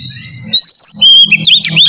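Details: Oriental magpie-robin (kacer), ngeplong style: a long pure whistle slides upward, followed by a steady high note and quick twisting whistled notes, over a soft low rumble.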